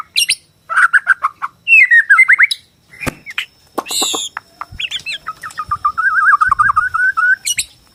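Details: Song of a Bornean white-rumped shama, a varied run of loud whistled phrases, rapid repeated notes and harsh buzzy bursts, ending in a long stuttering series of rising-falling whistles.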